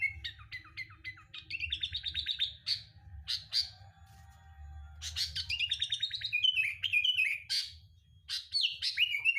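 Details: Sooty-headed bulbul song played to coax caged birds into singing: quick chipping notes leading into a buzzy trill, scattered sharp calls, then another rapid rattling burst and descending whistles, with a low hum behind.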